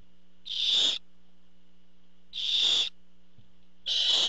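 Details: Nest-camera barn owl as the father delivers food; three spaced, breathy screeching hisses, each about half a second, coming every one and a half seconds over a faint steady hum.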